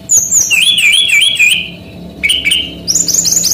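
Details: An active male brown-chested jungle flycatcher, a Bali bird kept as a tutor for young songbirds, delivers a continuous run of slurred, looping whistles, ending in a quick series of high chirped notes.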